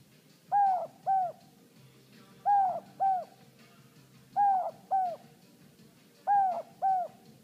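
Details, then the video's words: Captive pet male Inca dove, hand-raised and never having met another of its species, giving the two-note "no hope" call: paired hollow cooing notes, each dipping slightly, repeated in four pairs about every two seconds in a quiet room. "Necco the Inca dove makes his "no hope" call"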